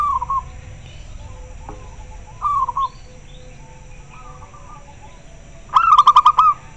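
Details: Zebra dove, a local bird, responding clearly to other callers: distant soft downslurred coos recur several times, then a loud nearby phrase of fast, evenly pulsed cooing notes closes the passage.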